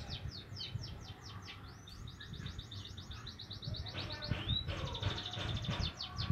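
A young Javan munia gives fast, thin, high chirps in a steady chattering run, about two a second, over a low background rumble.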